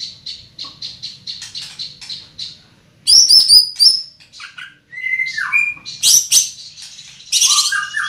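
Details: Large-bodied greater green leafbird with a loud, penetrating voice: a run of quick, evenly spaced high chips, then loud bursts of varied sharp whistles and slurred notes after a short pause.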